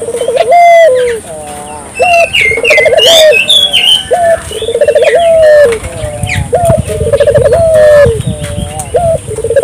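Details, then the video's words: Repeated dove calls intended to get local doves calling: a brief rising note, a purring trill and a long falling coo, every two to three seconds, with chirps of other birds and a low rumble below. "suara burung puter gacor,merangsang burung puter lokal ikut gacor"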